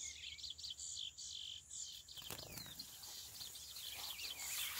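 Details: Chestnut-bellied seed finch delivering fast, high, twittering and whistled song phrases with brief gaps, over a noticeable hiss and a few knocking sounds partway through.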